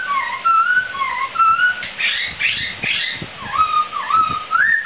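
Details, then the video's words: Laughingthrush song used as a training recording for songbirds: varied whistled phrases with slurred rising and dipping notes, broken midway by a few harsher, buzzier notes, then more clear whistles. "Suara Burung Poksai"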